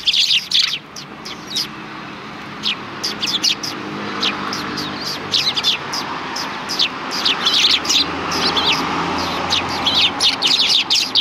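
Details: A group of sparrows calls along a road by a Tenmangu shrine on 13 December 2019. High chirps come scattered and overlapping over a steady rumble of background noise, with faint traffic and voices.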